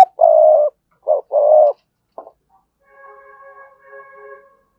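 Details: Spotted dove used as a decoy, with a good, vigorous 'thúc' voice, giving deep, full coos in a broken rhythm, then steady tonal, music-like notes in the background.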